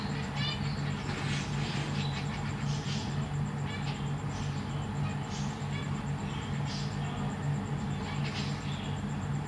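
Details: Caged zebra finches, parents feeding three juveniles and three newly hatched chicks in a big cage; short stacked chirps come in scattered bursts, loudest early on, over a constant low mechanical hum.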